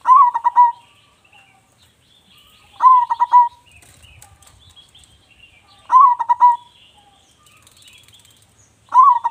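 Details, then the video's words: Loud local zebra dove, suited to coaxing other doves into song, gives four staccato cooing bursts at regular intervals near three seconds. Soft high chirps and a brief low rustle, perhaps fluttering, sound in the gaps. "perkutut lokal gacor suara besar cocok untuk pancingan"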